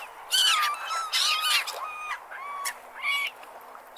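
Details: Seagulls at the beach calling with harsh, nasal squawks in a rapid series of drawn-out, slightly wavering cries, some rising then falling, with short pauses between bursts over a steady soft background hiss.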